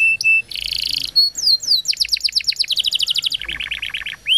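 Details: Canary song for prompting quiet canaries: short chirps, a buzzy trill, then accelerating runs of falling notes shifting into a lower rolling trill.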